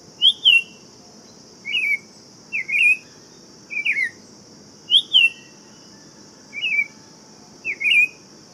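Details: Buff-throated saltator singing short, sweet two-part whistled phrases, each slurring down then up, repeated roughly every second, over a steady high insect-like drone.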